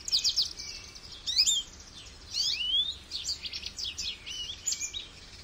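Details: Lively goldfinch song: rapid high chirps and twittering trills interspersed with a few swooping, liquid notes, phrases coming in quick succession.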